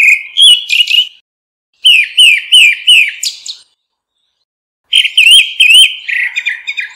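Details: Grey-backed thrush (Turdus hortulorum) giving a flock-gathering call: three bursts of quick, high chirping notes, each a sharp up-and-down slur, with short silent pauses between; nothing else heard.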